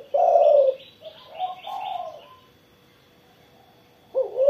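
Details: Morning-sunned spotted dove: one strong low coo opens, then softer coos mix with a run of quick, high chirps from other birds. A long quiet gap follows, and a loud coo returns at the end.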